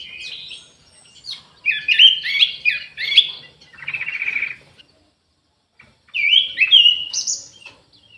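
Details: Orange-headed thrush singing actively in an aviary: rich, varied warbled phrases of slurred whistles and trills, delivered in bursts separated by short pauses, with a buzzy lower phrase in the middle.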